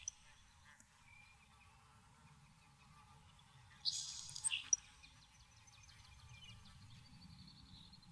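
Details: Nelson's sparrow in a Maine saltmarsh giving a single song midway: an abrupt breathy, sizzling burst under a second long with a short lower tick at its end. Around it are soft ambient noise and a faint high chirp.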